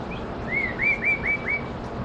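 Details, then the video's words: A mimicking bulbul gives a quick run of five clear, arched whistles that each rise then fall, about four a second, over faint high notes and soft background hiss. "بلبل يقلد"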